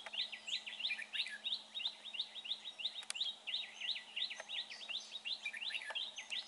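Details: Red-whiskered bulbul at a trapping site, described as having a fine voice; steady, rapid chattering of crisp, slurred whistle notes repeated roughly three times a second, with faint ticks in the background.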